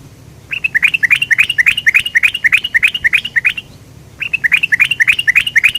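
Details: Sooty-headed bulbul used as a lure: quick bright chirping phrases of rapid repeated notes, a run of about three seconds, a short pause, then another fast burst, over a low steady background hum.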